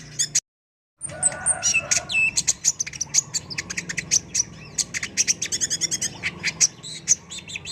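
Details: Brown-throated sunbird (kolibri ninja) in full, lively song for bird training: after a brief cut-out, fast thin high chips and short trills follow in a steady, busy stream.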